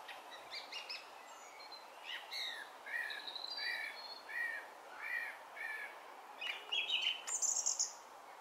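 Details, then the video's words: Song Thrush singing in Brighton in June 2020: varied phrases of clear whistled notes, one short motif repeated four or five times in a row, ending with higher sharp chirps; steady background hiss. "Song Thrush (Turdus philomelos)"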